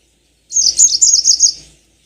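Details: One clear phrase of a yellow-fronted canary's lure song, meant to trigger long rolling song: a steady run of rapid, high, evenly pulsed chirps lasting just over a second.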